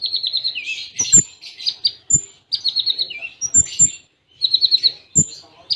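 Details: Konin (Kolibri Ninja) masteran song in Cililin tembaan style with tight gaps: rapid trilled phrases near the top of the range, short high whistles and sharp clicks, with low thumping knocks between phrases.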